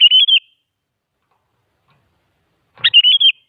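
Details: Sooty-headed bulbul lure song to make other bulbuls answer: rapid trilling whistled phrases of several wavering notes, one near the start and another after a pause of over two seconds, clean background.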